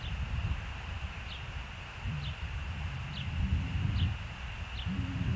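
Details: Osprey at the Hellgate nest, recorded 06/07/2024 at 21:15: faint, short, sharp chirps repeated about once a second, each with a quick downward flick, over steady low rumbling background noise.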